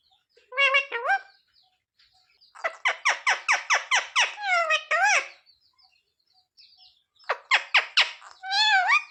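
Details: Pet parrot (mitthu) indoors, trained to say "mummy papa": harsh harmonic squawks, a fast run of about eight clipped repeated notes, then bent whistled syllables with rising and falling tones, in three bursts separated by silence.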